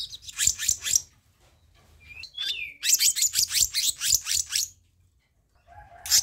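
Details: Black-naped monarch on a luring and training recording. Quick runs of sharp, harsh chatter notes surround a brief whistled phrase, and a soft low whistle sounds near the end.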